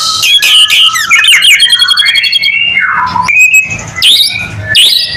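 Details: ['Energetic white-rumped shama song meant to lure other shamas into singing: sweeping whistles rising and falling, rapid rattling notes at the start, then clear slurred notes and high sharp flourishes.']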